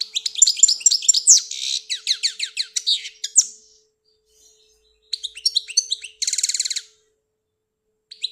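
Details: Goldfinch from Algeria singing a lively run of rapid twitters and downslurred notes, then after a pause a chattering phrase and a harsh buzzy trill, then more twittering.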